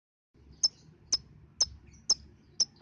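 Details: Lovebird lure sound, played to prompt young lovebirds under five months to sing: five sharp, very high chirps spaced about half a second apart over a low background hum.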